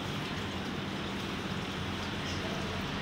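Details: Steady broadband rumble like rain or passing traffic with a low engine hum, and no animal calls.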